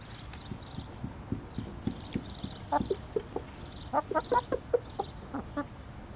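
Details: A rooster tells his hens he has found food, giving a run of short, clipped clucks in quick bursts, about a dozen over three seconds, after low knocking and thumping sounds.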